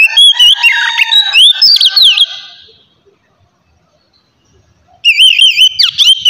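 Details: Oriental magpie-robin singing in the relaxed 'ngeplong' style, used to get other magpie-robins singing: loud whistled phrases with quick sliding notes, then about two and a half seconds of silence, then another burst of wavering whistles.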